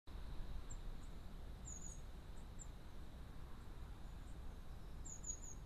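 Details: Long-tailed tit at a garden bird feeder: a few thin, very high short notes, some slightly drawn-out and downslurred, scattered over several seconds, heard faintly above a steady low rumble of background noise.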